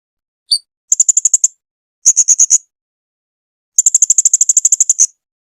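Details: A 2021 masteran tutor recording of the Blue-crowned hanging parrot, or serindit: a single thin upslurred note, then three rattling series of high, sharp ticks, the last and longest about a dozen notes, against silence.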